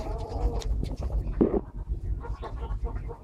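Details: Holle cropper pigeons in a Malaysian aviary give a short, low, throaty coo in the middle, then softer murmuring coos. Low rumble and tapping noises run underneath.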